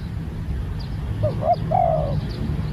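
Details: One cooing phrase from a newly trained spotted dove: a short note, a brief pause, then a longer level coo trailing down, above a low constant rumble with a few faint distant chirps.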